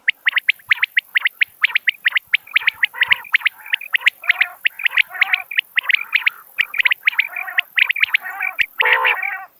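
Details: Common quail calls repeated rapidly and overlapping, with sharp clipped notes in clusters alternating with buzzy, nasal growls. A steady high-pitched hiss runs through the whole recording.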